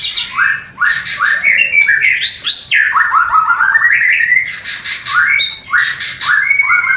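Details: White-rumped shama mating song, used to excite breeding desire in a new pair: rapid series of rising whistles interleaved with dense, crackling high bursts, continuous and energetic throughout.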